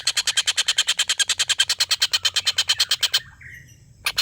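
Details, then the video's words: Collared kingfisher laughing call, played as a song tutor for contest birds: about three seconds of fast, harsh repeated notes, a pause with a faint short whistle, then the notes restart. "tengkek buto ngekek panjang"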